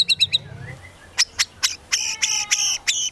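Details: White-rumped shama of Medan type singing with cililin and grey-cheeked bulbul imitations. A few quick notes are followed by spaced sharp clicks and short buzzy whistled chips, somewhat softer overall.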